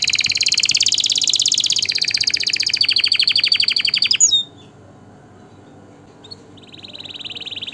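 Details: A canary sings a dense, high, buzzing trill that rolls on for about four seconds, then a brief quiet. A steady high whistled trill follows near the end. The song is offered for tutoring chicks and arousing breeding birds.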